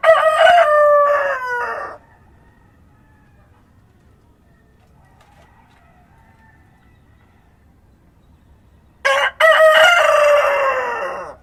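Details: Countryside rooster crowing at dawn. The end of one crow trails off in a falling, slurred note, then a long quiet gap follows. A second crow starts with a short clipped syllable and swells into a loud, sustained, harmonic call.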